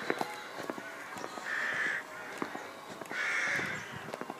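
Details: Rooks near St Mary's church in Pulford, Chester, England: two harsh, drawn-out caws about a second and a half apart, each lasting roughly half a second, with faint clicks and soft background noise.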